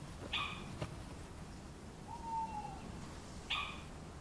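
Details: A little owl in the Weinviertel cultural landscape, sensing prey, gives two sharp, bright, high calls about three seconds apart, with a fainter, lower, falling whistle between them, over a quiet hiss.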